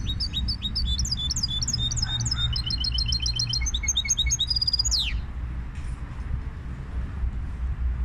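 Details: Caged goldfinch hybrid singing a rapid, high, metallic twittering song of repeated tinkling notes and trills for about five seconds, ending in a sharp descending whistle, over a steady low hum.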